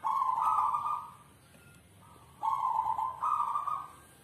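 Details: Manggung cooing from a kept South Sumatran endemic zebra dove: mellow, low coos in stepped phrases, a long note, a pause of over a second, then two further coos in quick succession.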